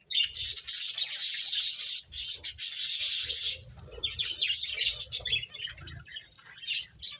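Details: Finches playing, with loud sustained high twittering chirps in long runs, followed by lighter, more scattered chirps and soft low bumps.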